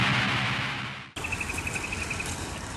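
A plover gives a rapid string of about a dozen sharp, high, even notes in just over a second. It is preceded by a burst of rushing, rumbling noise.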